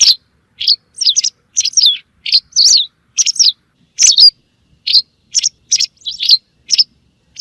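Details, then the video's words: Rapid run of white wagtail calls used for hunting: thin, high chirps, many with a twisting downward slur, delivered in quick singles and doubles against silence. "صوت لصيد طيور الزعرة البيضاء"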